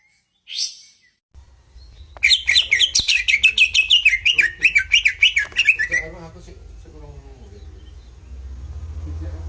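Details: Greater green leafbird master song meant to trigger jantrok singing: after one brief high note, a loud rapid run of wavering chattering notes lasts about four seconds, over a low hum and faint background sounds.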